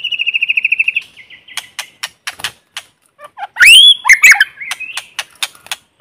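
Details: White-rumped shama, a lure bird singing in forest to stimulate other birds, with no background noise: a rapid trill of about fifteen even whistled notes, then sharp clicks, rising and falling whistled slurs and harsh chattering phrases.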